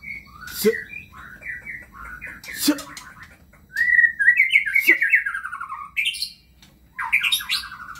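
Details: Kebyok singing from a white-rumped shama: sharp clicks, then a long rich whistled run of rapid trilled notes descending, followed by a pause and a fresh buzzy rising phrase.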